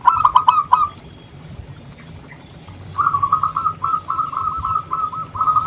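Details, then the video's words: Singing local zebra dove: a quick burst of four rolling coos, a quiet gap, then a longer softer series of stuttering, trilled cooing notes. "Suara Perkutut Gacor"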